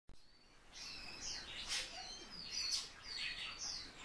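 Eurasian bullfinch giving soft, piping whistled notes, several in quick succession over four seconds, with brighter chirpy bursts from other small birds mixed in.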